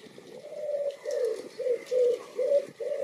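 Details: Greylag goose at the Myślęcinek Botanical Garden in Bydgoszcz, Poland, recorded on 2 April 2023 with a Lumix FZ82: six nasal, drawn-out honks in quick succession, each held about a third of a second.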